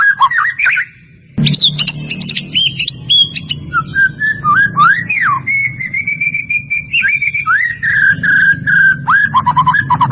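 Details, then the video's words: Caged white-rumped shama song used as a lure to prompt other shamas to sing: varied whistled phrases, rising and falling notes around the middle, rapid trills, with a steady low hum throughout. "Pancingan murai batu mancet bunyi ‼️ pancingan murai batu males bunyi‼️respon cepat"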